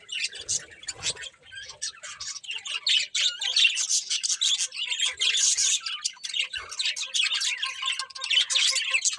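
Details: Morning bird chorus: many small birds chirping at once in a dense, high, continuous twitter of rapid sharp tweets and squeaks, with a few louder chips standing out and some faint low thumps.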